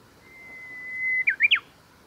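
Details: Japanese bush warbler singing at the Kita-Fuji training area, Japan, on 23 July 2021: a long, steady whistled note held for about a second, then three quick, sharply looping notes ending the phrase.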